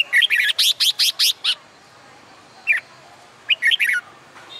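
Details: Red-whiskered bulbul trained for singing contests, heard on a summer day: a rapid rhythmic series of about eight loud, bright whistled notes, then a short pause and a brief warbled phrase.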